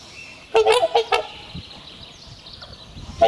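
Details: Trumpeter swans trumpeting in courtship, a pair renewing its bond each spring and announcing territory; one short run of about five nasal, bugling honks, then near quiet with faint background sound and a single honk at the end.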